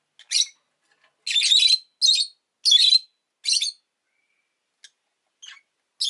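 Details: Rosy-faced lovebird chirping: five harsh, shrill, scratchy bursts in quick succession over about four seconds, each under half a second, then a few faint short ticks before another burst at the end; no other sounds stand out.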